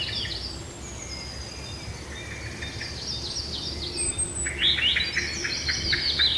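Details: Spring birds singing in a birch wood on Ruissalo Island near Turku, southwestern Finland: several overlapping high whistles and trills, a rapid burst of repeated clipped notes near the end, steady low background rumble.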